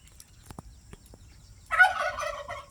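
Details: A pastured domestic turkey gives one loud, rapid, bubbling gobble lasting about a second, preceded by a few faint clicks and taps.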